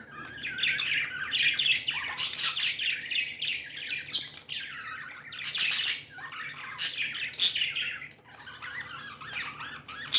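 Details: Several contented budgerigars kept as pets keep up lively chirping, rapid twittering phrases with sharp click-like notes, swelling and fading every second or two.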